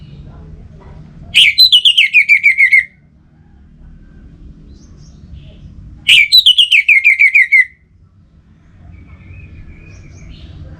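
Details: Two matching song phrases from an Orange-headed thrush, nearly five seconds apart, each a sudden high note followed by a rapid, slightly descending string of about nine clear whistles, with faint low hum between.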